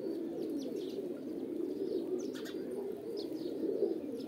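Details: Throaty pigeon coos roll on without pause, with faint higher chirps and soft wing flutters above the low murmur.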